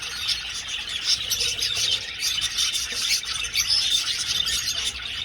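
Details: Budgies flying about an aviary keep up a busy, high-pitched chattering, with many overlapping chirps and short squeaks and no pauses.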